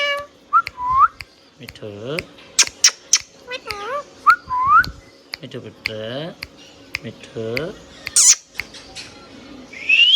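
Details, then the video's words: Hand-tame rose-ringed parakeet whistling and talking indoors: repeated rising whistles alternating with harmonic speech-like phrases and sharp clicks, ending on a bright upslurred whistle. "Hand tame Parrot Talking video | Mithu Tote Ki Awaaz"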